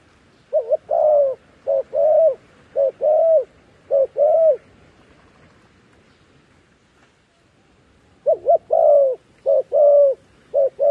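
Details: Decoy dove used to call wild doves down to a trap, giving low, hooting coos in grouped phrases of a short note followed by a longer drawn-out one, about one per second, then a pause before another run.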